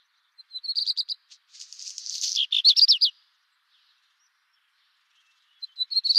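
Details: Redstart song: a short phrase of high repeated notes, then a scratchy crackling burst and a few sharp warbled notes, followed by a pause before the next phrase begins.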